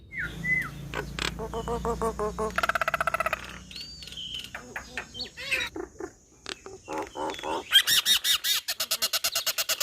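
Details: Varied Nias hill myna song with downslurred whistles, rapid nasal rattles, gurgling notes and a closing string of loud harsh buzzy notes repeated steadily.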